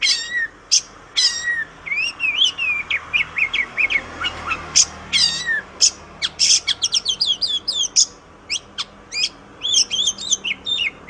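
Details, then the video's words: Oriental magpie-robin song recorded for training other songbirds: long series of short, sweeping whistles and quick chattering notes, some mewing and bending, in fast irregular bursts over a steady background hiss. "Ocehan Suara Burung Kacer"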